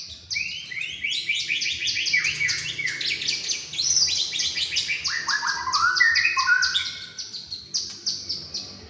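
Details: White-rumped shama from Indonesia, a contest-pole prospect, pours out a fast cascade of descending whistled notes and rapid chips, later sliding lower into sweeping slurs before steady high chipping returns.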